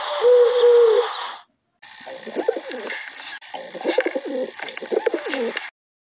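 Pigeons give low, throaty, wavering coos in three rolling bouts. They follow a brief steady hum and hiss at the start.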